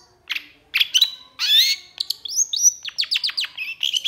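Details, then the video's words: Long-tailed shrike singing: a varied sequence opening with harsh rasping notes and a wavering buzzy phrase, then a swift series of clear downslurred whistles and sharp chips at high pitch. "Cendet Gacor Emosi Cocok Buat Cendet Macet MALAS Bunyi"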